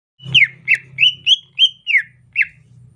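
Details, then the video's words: Greater green leafbird giving its soft 'ocehan lemas' song in the rainy season: seven loud, clear whistled notes, several slurring downward, delivered in a quick uneven run with a faint low hum beneath. "ocehan lemas cucak ijo musim penghujan"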